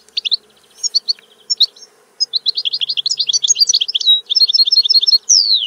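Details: European goldfinch singing a fast, lively stream of high chirps and liquid twitters, building into dense rippling trills and ending with a long descending whistle.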